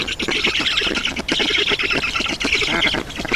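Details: At a black stork nest in Estonia, 7 June 2019 around 11:03, with an adult bringing water: continuous raspy squawks with a fast stuttering pulse, steady in loudness throughout.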